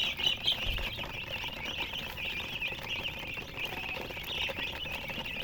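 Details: Chirping from a group of colour chickens: steady mass of thin, high, trembling peeps with a couple of louder notes at the start and a brief low thump, the chorus continuing unbroken to the end.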